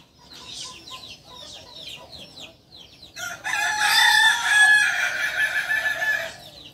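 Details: Quick, thin descending chirps repeat for three seconds. Then a Kukuak Balenggek rooster, native to Solok, West Sumatra, bursts into a loud, rough, multi-part crow lasting about three seconds.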